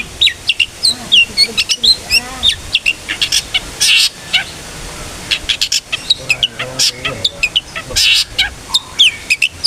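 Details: Long-tailed shrike in full ngeplong-style song, meant as a lure to make other shrikes sing: a dense, nonstop string of sharp high chirps, trills and whistles, with occasional loud scratchy bursts.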